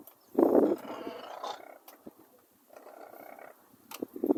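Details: A Brolga near Longreach, Queensland, Australia, gives a short, loud, rasping trumpet, then quieter rough notes and a few sharp bursts at the end, with people murmuring nearby.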